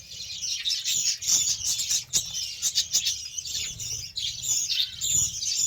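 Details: While getting beetroot, a group of budgerigars warbles and twitters constantly, high rolling chatter broken by short sharp ticks.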